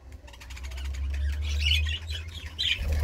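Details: Budgerigar giving short, bright chirps and squawks in two bursts near the end, over a steady low rumble.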